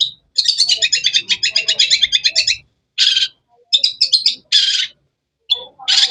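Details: Cendet (long-tailed shrike) producing a fast two-second rattling trill of harsh high notes, followed by short buzzy bursts and clipped chirps separated by silences.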